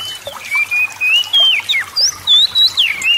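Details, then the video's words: Oriental magpie-robin song played to provoke lazy magpie-robins into singing: a fast run of clear whistled phrases, sliding up and down with sharp rising and falling notes, several per second, over faint background hiss. "TERAPI PANCINGAN SEMUA JENIS KACER AGAR CEPAT GACOR, ,YANG MALAS BUNYI LANGSUNG GACOR"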